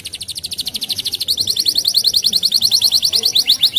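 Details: Canary singing a fast, even trill of short bright notes, about seven per second, shifting after a second into a slightly sharper, more ringing trill that carries on to the end.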